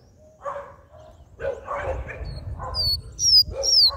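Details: Coleiro song in the mateiro style, played to stimulate males: a few high whistled, sweeping notes in the last second, over repeated bark-like yelps in the lower range.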